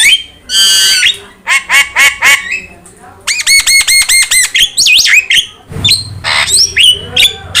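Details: Jalak starling song used to prompt and teach other birds: rasping buzzy notes, then a fast run of repeated ringing notes and looping whistles, with a low rumble near the end.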